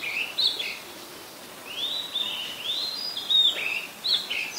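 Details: Oriental magpie-robin in Ubon Ratchathani, Thailand, 17 July 2021: brief whistled notes, a short pause, then a longer run of rising and falling clear whistles and warbles.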